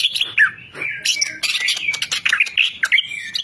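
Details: Dense, continuous singing from a champion greater green leafbird: overlapping whistled slurs, sharp clicks and high buzzy notes pouring out without pause, with a faint low rumble beneath.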